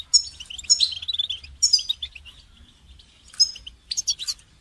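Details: Goldfinch song played for training songbirds: bright, high twittering bursts with buzzy trills and sharp chirps in three phrases separated by short pauses, over a faint low hum.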